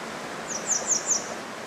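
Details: Grey wagtail calling while perched on a power line on a bridge over the Koma River at Agano, field sound only: three sharp, very high, thin chipping notes in quick succession over soft running-water noise.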